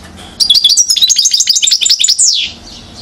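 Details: European goldfinch, aged one year, singing in Mouzaia, Algeria, 2012: a dense stream of sharp, sparkling chirps and trills that finishes with a clear descending slur.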